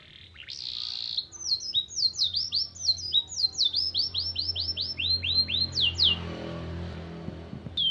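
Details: Canary song carrying borrowed white-eye (pleci) material: a brief whistled trill, then a long chain of crisp, high, falling chirps, roughly four each second and slightly uneven, over a soft low background hum.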